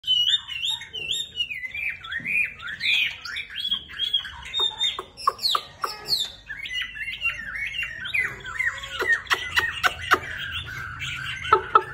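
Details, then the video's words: Chinese hwamei singing with fanned-out display, having just finished its moult; a long, varied run of loud whistled slurs and rapid chattering notes, with sharp clicks and trills in the latter half. "HOẠ MI HÓT XOÈ CHUẨN BỊ XONG LÔNG"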